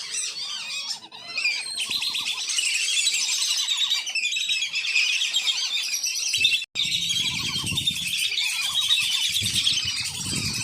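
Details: Wandering whistling ducks calling at a farm, a recording meant to lure wild ducks: a continuous high, chattering chorus with repeated short whistles beneath, a brief dropout midway, and some low knocking sounds.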